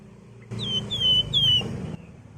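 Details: Wergan jawa, also called flamboyan, singing actively as a lure for flocking birds: three clear whistled notes, each sliding down and then levelling off, over a low background hum.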